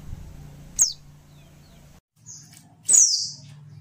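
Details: Oriental white-eye female, whose call is used to provoke quiet males to sing, gives two high, thin descending whistles, the second longer and slurred, with a low steady hum beneath.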